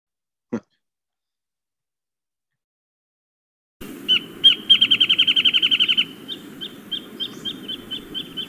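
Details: In winter on the Mendocino coast, a loud male Wrentit gives a run of high, sharp notes that speed up into a bouncing trill, while a distant female answers with evenly spaced whistles that do not trill.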